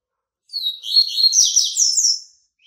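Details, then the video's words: White-breasted yellow-bellied seedeater coming out of moult, singing loudly and close: a rapid, sweet run of high slurred whistles and twitters lasting nearly two seconds, with a brief note at the end. "COLEIRO BAIANO PEITO BRANCO SAINDO DE MUDA, CANTASSO"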